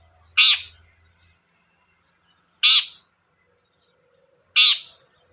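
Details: Long-tailed shrike (cendet) lure sound meant to make a shrike sing quickly: three short, grating rasps spaced roughly two seconds apart, each falling away at the end, in near silence.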